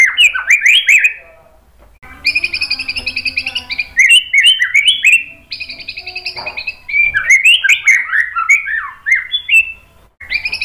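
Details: White-rumped shama provoking other shamas to sing: quick warbled whistles, a buzzy repeated high trill, then loud, fast, looping whistled phrases and chips.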